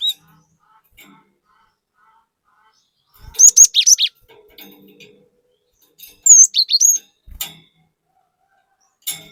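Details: Gelatik batu delivering a lively varied lure song: two bursts of sharp high whistles and chirps a few seconds apart, each a tight cluster of rising and falling notes, with faint clicks between.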